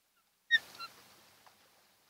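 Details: Osprey at its nest on Kent Island, Maryland, one of a mated pair, in late June at dawn: a brief sharp high whistled call, then a second shorter whistle, over faint background hiss.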